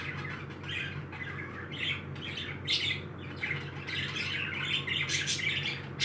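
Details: Several happy pet parakeets chatter with rapid, scratchy, overlapping squawks and a few sharp clicks, mixed with a constant low hum in the room.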